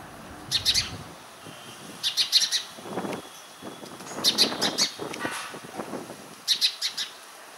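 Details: Indian house sparrow from urban India, Passer domesticus indicus, giving bursts of three to four bright chirps about every two seconds, with low rumbling and murmuring noise between the bursts.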